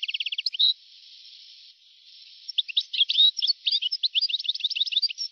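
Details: European goldfinch singing in an old recording from 1982–1990. It opens with a quick run of repeated notes, pauses, then gives a fast jumble of bright twittering and tinkling notes. The sound is thin and narrow-toned over a steady hiss.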